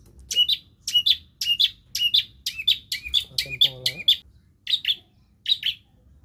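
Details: Long-tailed shrike mimicking other birds, a lure for birds that stopped singing: repeated chirping double notes with a harsh edge, about two per second, thinning toward the end, with a brief faint lower tone midway.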